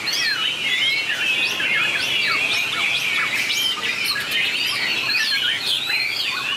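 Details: White-rumped shama singing competitively with long, varied phrases: bright whistles mixed with sharp downward-swept chips and clear, ringing notes, steady and loud throughout.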